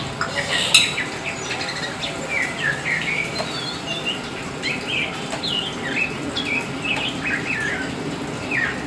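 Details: Black Oriental magpie-robin, kacer hitam, singing lively as a hobby bird: a sharp click at the start, then varied whistled phrases, downslurred notes and short rapid twitters repeated every second or so over low hum.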